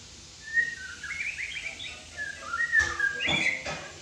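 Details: Terrace-kept white-rumped shama delivering a varied whistled song of slurred rising and falling notes, quick trills and brief harsh accents near the end, with a faint steady hum underneath.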